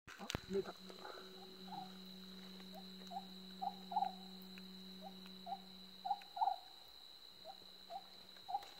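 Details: Oriental scops owl calling: short, low, hollow notes repeated roughly every half second to second, sometimes in quick pairs, over a steady high-pitched whine and a faint low hum; a brief clatter near the start.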